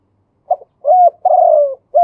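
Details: Male spotted dove singing the kuu-ang style with a two-kuk ending: a brief soft lead note, an arched low coo, a long buzzy coo sliding downward, then the next arched coo starting. Clear, with no other sounds.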